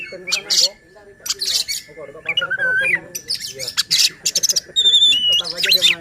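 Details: Oriental magpie-robin song played to provoke other magpie-robins and coax silent birds: varied whistled slurs, sharp chips and harsh bursts in staccato phrases, over a steady faint electrical whine.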